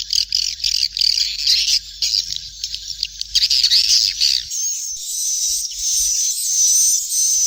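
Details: Swiftlet chicks, a lure sound for attracting swiftlets to roost: dense, chattering, high buzzy trills over a low hum, then a steady, thin, high whistled hiss with slight wavering.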